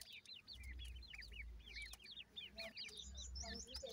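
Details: Several young grey francolin chicks at home peeping almost continuously; short high downslurred notes tumble over one another in quick overlapping series, over a steady low hum.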